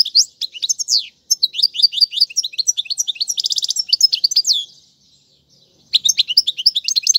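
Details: Goldfinch song played to teach young birds, in styles including tiwawati qalubi and serfati: fast, jangling sequences of sharp high rising and falling notes, a tight trill mid-phrase, a pause, then the twittering resumes.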